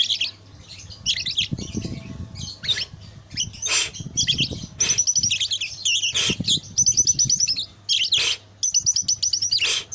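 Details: Eight-month-old captive white-rumped shama delivering bursts of bright, high repeated trills and ringing whistles in short phrases separated by pauses, with soft fluttering and shuffling from the cage in between.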